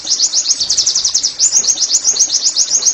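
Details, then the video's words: Pleci, the Oriental white-eye, singing a 'nembak' style song meant to spur caged birds into singing: a fast, steady stream of thin, high upswept chirps, about four per second, without a break. "TERAPI NEMBAK PLECI I, Agar Pleci anda cepat GACOR BOS!!"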